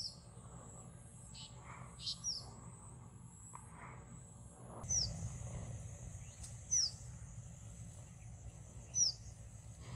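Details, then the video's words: Red avadavat, also called red munia, on the charlands of the Ganges (Padma river) at Rajshahi, Bangladesh; thin, very high, sharp chirps given singly at irregular intervals, about five in ten seconds, over a steady low rumble. "red avavdavat call"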